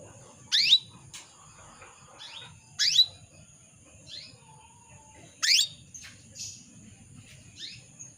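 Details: Female canary calling to a male, played to stir males into singing: sharp, bright downward-swept chirps, one strong note every two to three seconds with softer chirps between, over a steady high electronic whine and low rumble.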